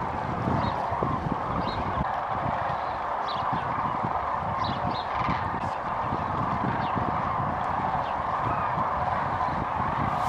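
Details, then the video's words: Sandhill cranes on migration, filmed near Kearny, Nebraska, where they rest and refuel in late February: a thick, unbroken wall of overlapping rattling calls from many birds, with steady low rumble and occasional higher yelps. "The Sandhill Crane Migration"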